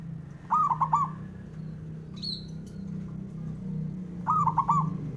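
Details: Male zebra dove's provoking song, meant to rile rival males into replying. Two rapid stuttered coo phrases, nearly four seconds apart, over a loud low droning hum, with a brief thin chirp from another bird between them.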